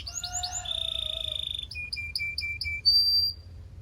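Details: Belgian canary song used to warm up canaries and stimulate females: rapid repeated upward sweeps, a long steady whistled note, then a series of short chirps and a final high whistle, with low background hum.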